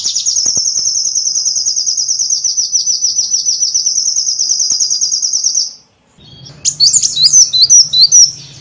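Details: Lure recording for attracting small birds: a long, even, high-pitched rapid trill lasting over five seconds, a short pause, then scattered sharp, slurred chirps over a low background hum.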